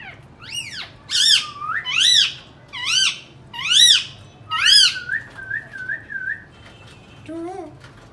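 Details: Indian ringneck parakeet at home, talking and making sounds: six loud arched squawks roughly every 0.7 seconds, followed by a wavering whistled trill and a few soft low nasal notes.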